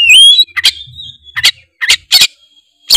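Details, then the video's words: Tretes-type oriental magpie-robin singing to provoke other magpie-robins to sing: an opening upward-sliding whistle leads into a series of about five rasping, noisy bursts separated by thin sustained whistled tones. "pancingan kacer tretes gacor ngeplong bikin kacer lawan auto gacor ngeplong denger suara kacer ini"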